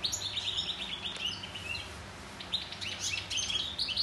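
A goldfinch sings a fast, tinkling twitter of high, liquid notes and brief buzzy trills, tumbling on without pause over a faint low hum.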